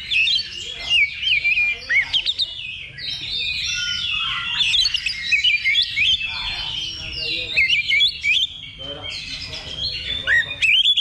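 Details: Kacer, or Oriental magpie-robin, song at a level 2 practice contest simulation before a real competition. Busy, overlapping whistled phrases with fast chirps and up-and-down slurred notes come in loud bursts, over a steady low background rumble.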